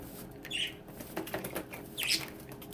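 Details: Pet budgerigars bathing together: brief high chirps rise out of a mix of splashing water and fluttering wings, with soft patter throughout.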